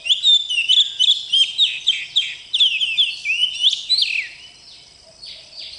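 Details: Oriental magpie-robin (kacer bakalan) in lively song: rapid rhythmic chirps and whistled slides about three per second for four seconds, then fading into a soft quiet ending.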